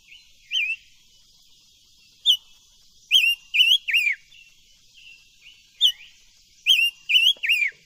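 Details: Silver-eared mesia song used for voice training, given as two bursts of three rich, looping whistled notes, each ending in a downward slur, separated by a few seconds of soft, quieter whistles.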